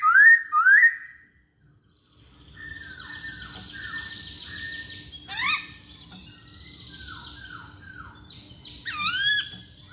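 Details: Masked laughingthrush song played to lure other songbirds into song: two rising whistles, a long buzzy trilled passage, scattered downslurred notes and a sharp sweeping call near the end.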